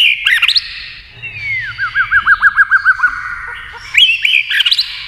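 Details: White-rumped shama in song competition with a TV: a twisting whistled phrase, then a descending slur into a rhythmic trill of about ten evenly spaced notes, closing with another loud burst of whistles.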